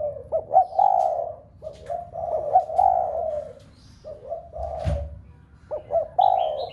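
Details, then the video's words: Rhythmic low coos of a spotted dove used to push other doves at home into cooing: short rising hiccup notes followed by longer husky croons, repeated in several phrases, with one dull thump. "Cu gáy gáy thúc cả bầy cu ở nhà gáy loạn. tiếng chim cu gáy kích bổi nhanh nổi nhất."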